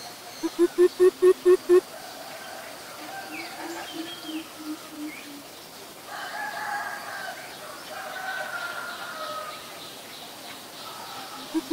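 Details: Greater coucal, a very common resident, recorded in Ubon Ratchathani, Thailand, on April 21, 2022: six deep, hollow, slightly rising hoots in quick succession, followed by other birds singing and chirping in the background.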